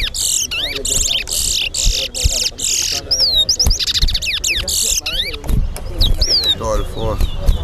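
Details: Chestnut-bellied seed finch, known in Guyana as towa towa, sings during a competition at the national stadium, with repeated harsh buzzy bursts and looping, rising and falling whistles over a low hum of voices and music.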